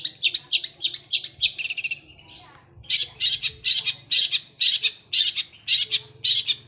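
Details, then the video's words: Gereja Kunti song of a Long-tailed shrike, fast and rolling like a sewing machine. A quick, high chattering run drops to a brief lull, then gives way to a steady series of harsher, buzzy chirps at about two per second. "Cendet suara gereja Kunti tembakannya seperti suara mesin jahit roll speed fighter"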